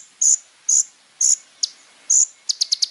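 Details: Little spiderhunter singing actively for a tutor recording: four loud, short, piercing whistled notes spaced about half a second apart, then a quick run of five sharp ticks, with faint background hiss.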